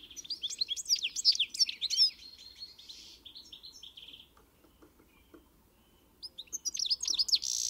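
A European goldfinch sings a rapid, tinkling jumble of high twittering notes and liquid trills, pausing midway before resuming the bright, chattering phrases.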